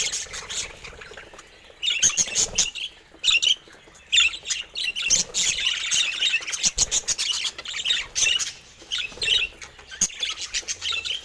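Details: Budgerigar, a pet bird shown for its color mutation, giving harsh, scratchy chirps and squawky warbled chatter in dense bursts. The bursts come quickly and are broken by short pauses, over a low background hiss.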